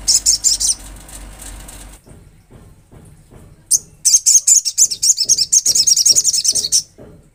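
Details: Olive-backed sunbird song, said to be natural: a rapid, dense trill of high, thin, twittering notes, then a pause with soft low ticks, then another long, fast, chattering run.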